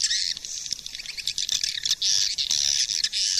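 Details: Swiftlet lure sound: harsh, high buzzing chatter in long bursts broken by short gaps, rough and continuous.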